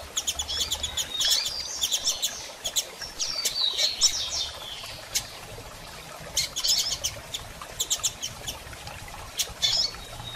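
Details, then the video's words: Female double-collared seedeater calling often, to stimulate a male to sing after moult; bursts of rapid high chips alternating with thin slurred notes, repeated through the recording. "Fêmea de Coleiro Chamando e Piando Muito - Ótimo Para Estimular Seu Coleiro a Abrir Canto Pós Muda!!"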